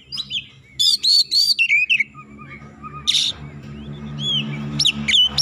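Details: White-rumped shama song aimed at a rival: a few loud slurred whistles and chips early, then a lower steady tone and scattered high notes over a continuous low humming drone throughout.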